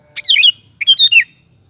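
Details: Two quick bubbly phrases from a sooty-headed bulbul, each a run of three or four slurred whistled notes dipping and rising, given about half a second apart in a quiet setting.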